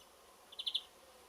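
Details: European greenfinch (Chloris chloris) singing from the top of a rowan tree at the end of a garden, giving a quick twitter of four bright, high notes in under half a second, over faint background hiss.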